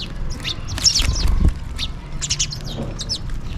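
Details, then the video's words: House sparrows calling for food as they feed: a quick cluster of loud, sharp chirps near one second, then further bright chirps in a short run, over a low background rumble. "Sparrow Birds Chirping and Calling for food"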